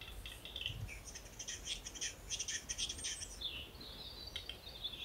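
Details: A western capercaillie cock at a lek in Finland at dawn, displaying on a thick branch of a lookout tree to impress females, gives dry double-clicks, then a fast run of scraping, rustling notes, over faint chirps from other birds.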